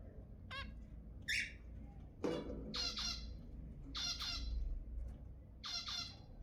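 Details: Zebra finches used to stimulate mating give loud nasal honking calls, often in quick pairs, repeated about every second or two, each note rich in harmonics, against a faint low rumble.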